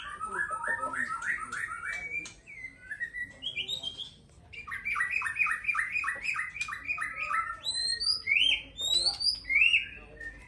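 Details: Caged white-rumped shama of the Aceh type singing a rich, varied song: rapid runs of repeated warbled notes, then rising whistles and sharp upslurred phrases, with clicks and thin chatter in the background.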